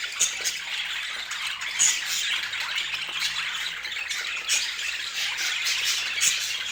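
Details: Pet budgerigars of striking colors keep up busy, raspy chatter: a steady wash of chirps and squawks with several brighter, louder squeaks standing out roughly every two seconds.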